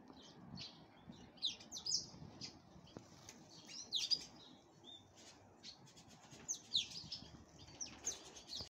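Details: Black-headed canary in breeding preparation sings sparse, sharp high chirps and short twittering bursts, spaced by quieter pauses, with faint low background rumble.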